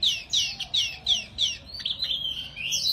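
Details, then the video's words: Energetic singing of a wambi mini bird: five loud, sharply descending whistled notes at a steady pace, followed by a rolling, warbled trill that rises into a high sustained whistle. "Burung Wambi Mini Gacor Banget"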